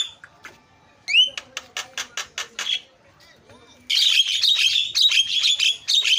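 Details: Javan myna lure to prompt other mynas to call: a quick upward whistle, then a row of dry clicks, followed by a long stretch of continuous harsh, scratchy chatter.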